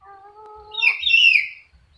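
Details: A talking sulphur-crested cockatoo (Cacatua galerita) gives a steady voice-like tone for under a second, then a harsh, raspy, word-like burst; nothing else is heard.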